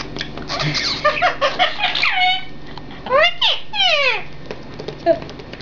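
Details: Three pet parrots talking to each other indoors in a small room: dense squawky chatter, then a run of rising and falling harmonic whistles around three to four seconds, with a low background hum.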